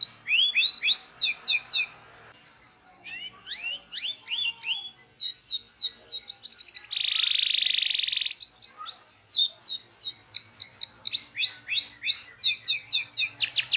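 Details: Local canary singing a training song, full of varied phrases: rapid downslurred whistles, rising sweeps and a dense buzzy trill near the middle, delivered in quick bursts after a short pause.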